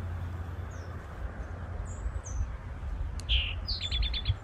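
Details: Eastern towhee in the woods giving its territorial song near the end: a loud dropping note then about four quick trilled notes, after faint high chips from other birds over low background noise.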